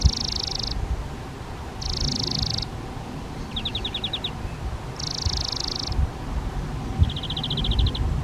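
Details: Spotted flycatchers nesting in a half-open box on a garden shed wall, parents bringing flying insects to nestlings; high buzzy bursts alternate with faster, lower pulsed rattles, about one every one to two seconds, over steady low background hum.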